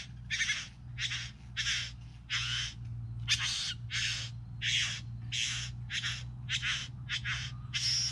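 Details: From a group of three bowerbirds come rhythmic harsh, hissy rasps, roughly one or two each second, fairly even in loudness, with a low mechanical hum behind them.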